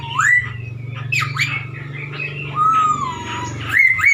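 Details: Chinese hwamei singing to provoke other birds; scattered sweet, sliding whistles, some rising and some gently falling, spaced irregularly with faint hum beneath.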